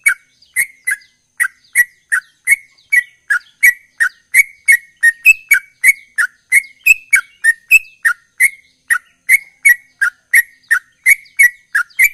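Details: A yellow-vented bulbul in active, rapid rolling song gives a fast, steady run of short bubbling, chattering notes, about three per second, with crisp clicky edges and no other sounds.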